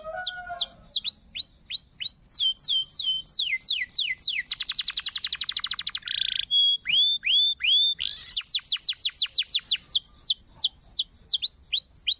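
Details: Canary in continuous varied song: rows of sharp falling whistles, a fast buzzy rattle, a brief harsh nasal note, then more quick descending whistled phrases repeated in steady series.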